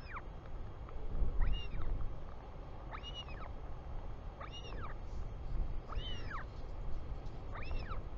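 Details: Returning father greeted by a royal albatross chick in New Zealand, afternoon of 24 July 2020: five rising-then-falling whistled calls, some doubled, every 1.5 seconds amid steady wind noise.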